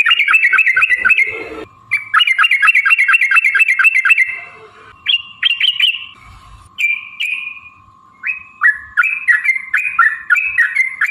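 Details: Yellow-vented bulbul, a lure recording to provoke singing and fighting, in the long rapid 'ropel' style: fast chattering runs of bubbly, dropping notes about three per second, then brief whistled phrases and a steady faint tone underneath.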